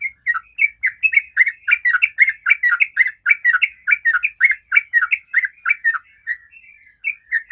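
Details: Sooty-headed bulbul 'ropel' song meant to trigger singing in other bulbuls: a long, nearly continuous chattering stream of rolling whistled notes, slowing briefly near the end before a final pair.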